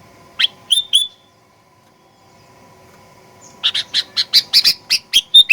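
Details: Sooty-headed bulbul used as a lure to provoke aggressive singing: opening whistled notes, a pause, then a rapid, loud chatter of about a dozen sharp chirps.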